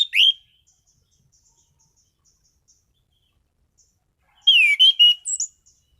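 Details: Caged Orange-headed thrush producing a single whistled note, then a loud phrase of slurred descending and level whistles ending with high thin notes, with soft faint ticking between.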